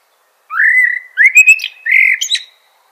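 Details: Common blackbird phrase of a long flute-like whistle, then several rounder warbled notes and a high scratchy flourish at the finish.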